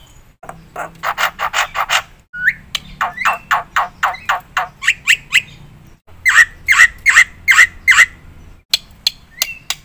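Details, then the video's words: Black-winged myna singing a series of sharp chirps about once a second, broken by brief gaps, with a slurred whistle and a run of strong mid-pitched notes toward the end over a faint background hum. "suara burung jalak putih gacor full isian PATEN untuk pancingan dan masteran"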